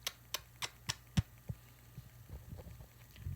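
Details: Indoors, a series of soft knocks and thumps slowing over a few seconds over a low hum, with no animal voice.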